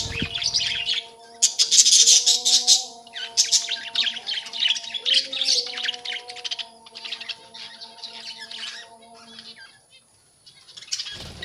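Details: Busy budgerigar colony where young birds have come out: dense overlapping chirps and squawky warbles from several birds, fading toward the end, over a steady mechanical hum.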